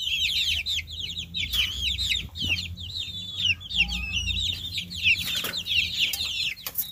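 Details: Farm chicks peeping continuously in a dense chorus of high, thin, wavering chirps overlapping one another, with a faint low hum beneath.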